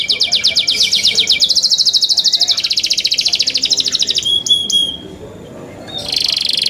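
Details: Young canaries singing: fast rapid trills of high notes, shifting into a smoother buzzy stretch, then a few pure whistled notes and a closing high rattle.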